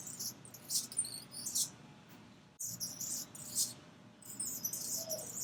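Anna's hummingbird giving high, thin, scratchy chirps in short bursts every second or so, with a soft low background hum.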